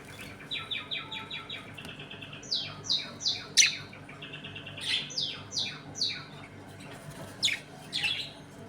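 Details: Budgerigars in a home colony while eating, playing and fighting, giving rapid chirps and repeated descending buzzy notes in quick series, sharp squeaks interspersed, over a low steady hum.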